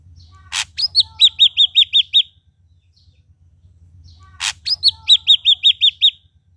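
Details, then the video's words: Red-eyed Ashy drongo singing lively: a sharp click, then a fast run of six to seven bright repeated notes, the whole phrase given twice about four seconds apart over a faint low hum. "Srigunting Abu Abu Gacor Mata Merah"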